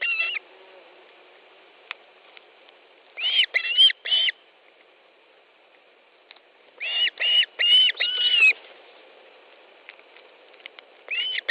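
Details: Osprey at its nest in Estonia, 18 July 2013, mid-morning around a fish delivery: two short bursts of three to five loud, piercing whistled chirps separated by several seconds of quiet, with a faint low hum underneath.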